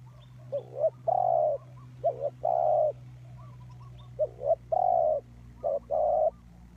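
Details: Lure spotted dove used for trapping gives four low crooning phrases: a paired wavering double note, then a drawn-out even coo. A steady low hum runs underneath.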